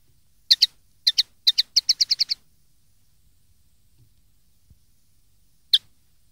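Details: Common linnet from a 2013 tutoring recording made for young linnets to learn from: a rapid run of paired, high, clipped twittering notes speeding into a stuttering series, then silence and one final chirp.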